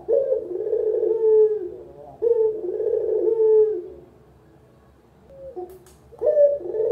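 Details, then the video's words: Two full rolling coos from a local puter collared dove, a lure and master call for novice birds, each sliding downward. A near-silent stretch follows, with a faint short note, before a new coo starts. "Masteran Burung Puter, Suara paling dicari untuk PEMULA"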